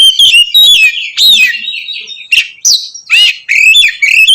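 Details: Oriental magpie-robin singing loudly in the ngeplong manner to provoke rivals: fluty rising and falling whistles alternating with rasping, buzzy bursts, all in quick succession.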